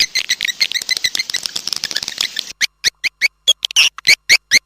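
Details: A lure recording of swiftlets for drawing birds in: rapid overlapping high chirps at first, then separate sharp chirp notes spaced apart with silence between.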